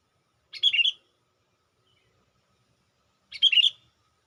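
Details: Sooty-headed bulbul calling to lure wild bulbuls: two quick warbled phrases of clustered chirps, each about half a second, separated by roughly three seconds of silence.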